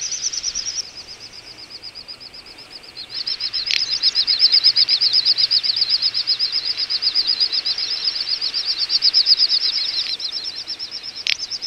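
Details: Large wintering gathering of little bustards in Azerbaijan's Ag-Gol National Park, November: a long unbroken stream of rapid, high, throbbing whistles, quieter at first, then louder and denser, with a few sharp knocks.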